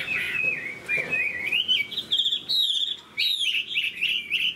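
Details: Caged Chinese hwamei in moult sings bright, high whistled phrases that twist and climb, broken by short pauses between bursts.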